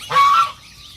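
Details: Domestic goose calling outdoors around 6:07 in the morning, one of several geese calling back and forth; one loud, harsh, nasal honk lasting about half a second, then only a faint low hiss remains.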